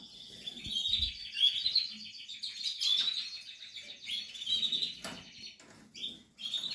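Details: Canary chicks of the Portuguese harlequin type in the nest, giving thin high-pitched cheeping calls that run almost nonstop with little variation, now and then a brief louder chirp above them, and a few soft knocks in the background.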